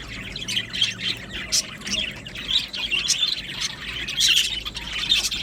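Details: A colony of budgie parakeets in an aviary gives softer, scratchy warbling mixed with occasional squawks, swelling louder toward the end.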